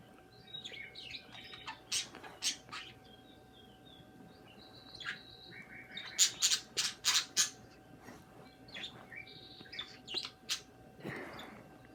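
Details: Two pet budgerigars kissing and chirping: short warbling notes early, then a dense run of sharp clicking chirps in the second half, ending with a soft rustle.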